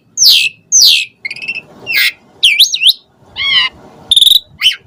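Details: ['Asian pied starling in full song with varied fill-in phrases, used to stir other starlings into singing: a jumble of sharp downslurred whistles, buzzy stacked notes, a wavering twisting phrase and a short trill, separated by brief pauses.']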